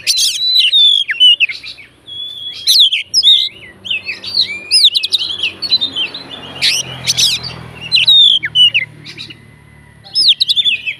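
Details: Oriental magpie-robin fighter singing to provoke other magpie-robins: loud varied whistles, clicks and harsh notes in packed phrases, a quieter stretch in the middle, then renewed bursts.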